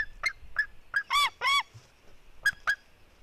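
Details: Sibling fight between white-tailed eagle eaglets, a female and her brother: short clipped squeaks, then two longer, harsh, wavering squeals, followed by two more brief squeaks against a quiet background.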